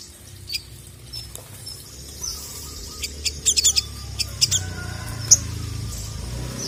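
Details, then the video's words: Ruby-cheeked sunbird (sogon) in full song to call a rival, giving sharp high chips and short ticking notes in irregular bursts, denser in the middle, over a low background rumble. "KICAU SOGON GACOR MEMANGGIL LAWAN"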